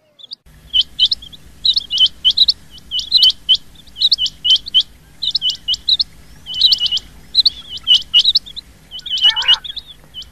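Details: Rain quail call used as a hunting lure: short, high, sharply rising notes in quick clusters of two to four, repeated throughout with brief gaps, over a low steady hum.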